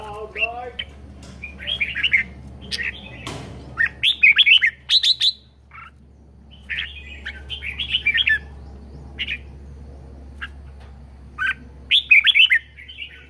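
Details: A pet red-whiskered bulbul, described as singing vigorously, sings bright, chirpy phrases of quick liquid notes in short bursts with brief pauses between them, over a faint low hum.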